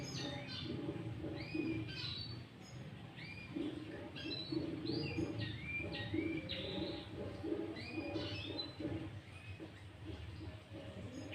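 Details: Sooty-headed bulbul lure song, said to be filled with green leafbird phrases, used to provoke other bulbuls: a busy run of short whistled, rising and falling chirps, several per second, over a low, steady background hum.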